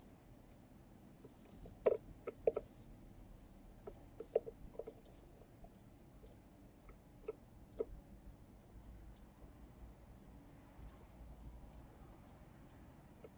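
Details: Wild junco fledgling begging while an adult male feeds it on a balcony bird feeder. Thin, very high chips repeat steadily, about twice a second. Some are louder and doubled, mixed with soft low knocks and taps.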